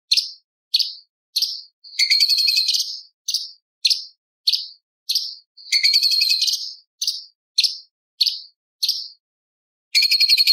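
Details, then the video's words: Light-vented bulbul song mixing in imitations of lovebird, parakeet, prinia and pancawarna: short high chirps in a row, broken twice by long harsh buzzy rattles, then a final buzzy burst after a pause. "CUCAK CUNGKOK ISTIMEWA - TEMBAKAN ISTIMEWA ISIAN LOVBIRD PARKIT CIBLEK PANCAWARNA"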